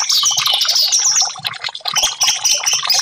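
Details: Orange-headed thrush song used to coax silent caged birds into singing: busy high-pitched chattering of chirps and thin whistles, nearly continuous, softening briefly before resuming.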